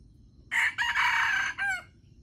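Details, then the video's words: Wild red junglefowl rooster crowing while competing at a baited trap: one loud, harsh, hoarse crow lasting about a second and a half, with a short opening note, a long sustained middle, and a final falling note, against faint low background rumble. "The trap for wild chickens is baited with standard bait and the birds compete to crow"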